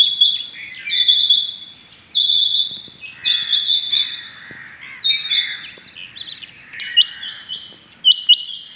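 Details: Rain quail calling in the morning, dated 6.7.21: high, sharp paired and tripled notes with a metallic, buzzy ring, repeated in bursts about once a second, overlapping phrases suggesting more than one caller, quiet background.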